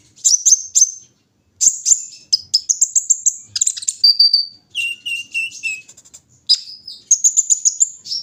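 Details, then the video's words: Morning dew session for a kolibri ninja sunbird: bursts of high, thin twitters and trills follow one another quickly, with a few slightly lower whistled notes partway through. "pengembunan di pagi hari burung Kolibri ninja"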